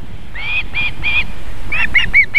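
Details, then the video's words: In South Estonia a female osprey tends chicks at the nest near a river: a few spaced, drawn-out whistled notes followed by shorter, sharper rising chirps. "Miina feeds her "babies" (kalakotkas | Marko + Miina)"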